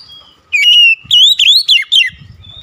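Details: One phrase of oriental magpie-robin song: a held, level whistle, then a rapid string of rising and dipping clear notes.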